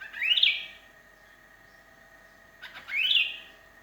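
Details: A lonely sooty-headed bulbul calls out to companions as a lure bird: two loud rising whistled phrases about two and a half seconds apart, over a steady low electrical hum.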